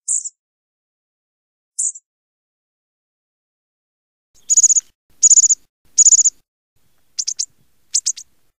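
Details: American bushtit calling: sparse, very high thin chips, then short bursts of rapid stuttered ticking notes, and a few quick doubled and tripled twitters near the end, in otherwise quiet surroundings.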